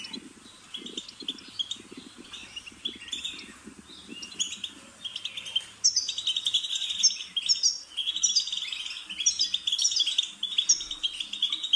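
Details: European goldfinch song for stimulating a pet bird: soft, scattered twittering with faint low pulses in the background, then from midway a loud, steady run of rapid bright chirps and trills.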